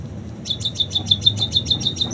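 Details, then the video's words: Munia delivering a canary-like passage of its song: a fast, even trill of high ticking notes, about seven per second, ringing clearly over faint low hum. "Burung PIPIT Full isian KENARI"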